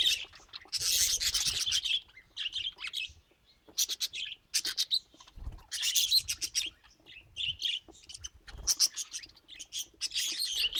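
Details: Pet budgerigars, a group of colourful mutations, giving rapid high warbling chatter and chirps in uneven bursts separated by brief pauses, with occasional soft low knocks.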